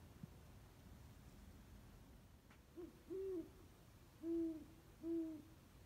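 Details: Owl in an old oak tree in a back yard at 2:34 am, giving three low hoots around the four- and five-second marks, each short and slightly rising, preceded by a softer note; quiet night background otherwise.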